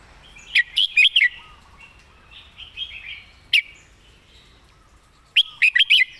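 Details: Red-whiskered bulbul kept as a song tutor bird, singing clear, well-phrased song: a loud burst of three or four sharp, warbled whistled notes, one lone note mid-way, then another quick rippling phrase, over softer chattering in the background.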